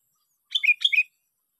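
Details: Sooty-headed bulbul caught by luring, on day six of a fight session: two quick bubbly phrases, each a bright high note that drops into a lower whistled slur, given back to back in about half a second, with no other sounds.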